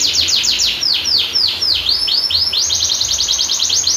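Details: Canary singing a long-roll tutor song meant to prompt silent canaries: quick descending whistled notes slowing into broad swooping sweeps, then a rapid buzzing trill.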